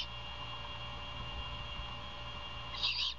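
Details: Great horned owls at a Savannah nest, once a Bald Eagle nest, as the mother feeds her owlet early on 21 February 2022; a few seconds of steady hum, then one hoarse rasping screech near the end.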